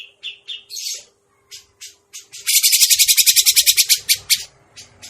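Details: Trapping lure of a Grey-cheeked bulbul: a few clipped whistled notes and a brief rising squeal lead into a long, loud, grating rattle of quick regular pulses, with a faint low hum.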